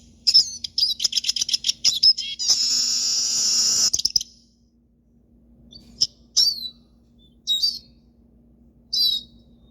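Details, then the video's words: Pet siskin singing: a rapid, high twittering phrase leading into a sustained buzzy passage, then a pause and scattered sharp chirps, over a faint steady low hum. "canto do pintassilgo, siskin"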